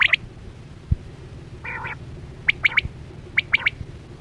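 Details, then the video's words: Quail sound played on a quail hunt with nets; a brief buzzy stuttering chatter followed by neat triple whistled notes repeated twice, with a couple of low knocks. "Sound Of Chora Quail Batera"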